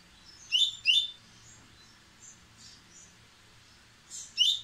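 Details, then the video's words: A white-throated seedeater sings impetuously, increasing its speed: bright, high chirped notes in quick pairs, with softer notes between the louder bursts. "Coleiro baiano peito branco impetuoso aumentando a velocidade!!!"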